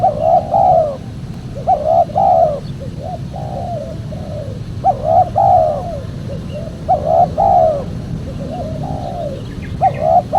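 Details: Spotted dove lure call for trappers and fans of dove cooing. Hoarse paired coos with a trailing note repeat in phrases about every two seconds, over a constant low hum.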